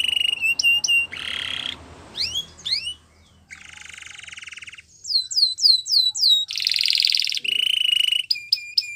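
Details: Singing canary for training young ones: short twittered notes alternate with broad buzzy rolls, a brief pause, then a run of clear upslurred whistles followed by another harsh rolling trill and sharp chirps.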